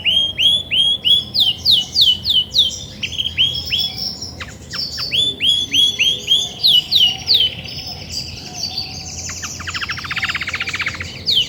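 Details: Grey-and-white Belgian canary hen singing heavily as brooding time nears: steady runs of repeated high swept notes giving way to a buzzy rapid trill near the end.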